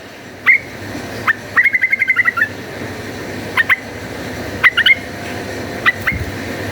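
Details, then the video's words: Yellow-vented bulbul singing actively in a rapid fighting style, used as a lure to make other bulbuls fight: short, sharp chirps, then a quick run of about ten even notes, then scattered single and paired notes. "cuk cuk uplik uplik ! trucukan gacor ropel tarung"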